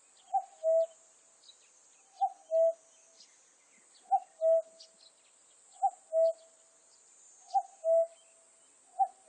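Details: Common cuckoo recorded in 2020, calling cuck-oo over and over, about every 1.7 seconds, six times. Each call is a short higher note followed by a longer lower one, over faint chirps and a steady high hiss.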